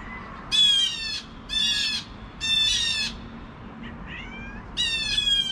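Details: Loud, rasping squawks from blue jays raising the alarm at 7 AM, four strong calls plus a softer short note, each about half a second, over low hum.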